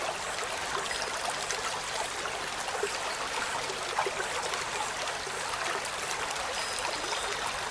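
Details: Continuous flowing, gurgling stream water with no animal calls heard above it.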